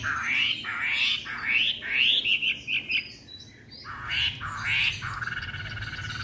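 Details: Three-month-old white-rumped shama kept in a cage in Hanoi, Vietnam, just brought home: loud rising whistled phrases repeated in quick succession, a pause, then more looping whistles, with a faint low hum behind.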